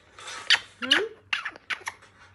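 A grey parrot gives a quick run of raspy, clicking bursts with one short rising whistle, about six sounds in two seconds.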